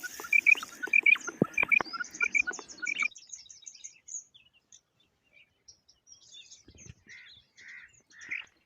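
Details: Female quail producing varied calls: quick high paired notes mixed with clicks and chatter for three seconds, then near silence, then a few softer, lower buzzy notes near the end.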